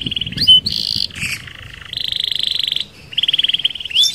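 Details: Canary singing a rolling song meant to lure other canaries: long buzzy trills held steady at high pitch, broken by short swooping notes and a brief gap before the roll resumes.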